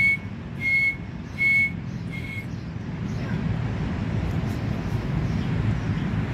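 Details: Male dakhni grey francolin (teetar) giving a run of four ringing whistled notes in the first two and a half seconds, each brief and even in pitch, followed by steady low-pitched background rumble with no further calls.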